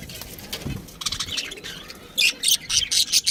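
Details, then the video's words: Pet budgerigar giving soft, warbling, high chirps that build into a run of loud, rapid, scratchy notes in the last second. "cute budgie chirping sounds"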